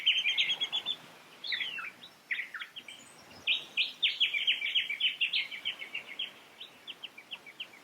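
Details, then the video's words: A whistling kite near Sydney, Australia, gives a short falling whistle, then a fast run of clear, high staccato notes climbing in pitch, several per second; the call is given in flight overhead or when perched. Faint hiss. "the distinctive call of the whistling kite is unsurprisingly a clear whistle which Begins by descending down the scale"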